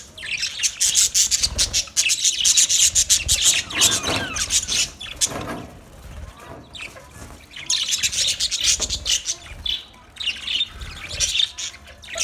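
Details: Budgerigars in a colony, a dense chorus of high, scratchy chirps and twitters in overlapping bursts with brief quieter gaps around six and ten seconds.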